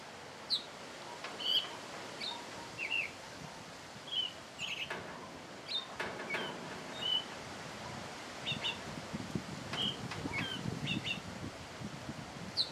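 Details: At its singing hour, a thrush sings scattered short whistles and quick two-note figures over a long stretch, mixed with occasional clicks and a low rumbling background.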